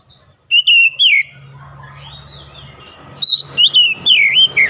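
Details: Oriental magpie-robin singing under morning sun, a trio of sweeping whistles, a soft warbled interlude over steady low hum, then six more loud curling notes in quick succession.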